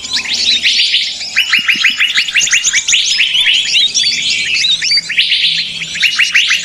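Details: A noisy mix of small birds used as a lure sound for trapping: a dense, continuous chorus of overlapping high chirps and twittering trills, loud and unbroken throughout.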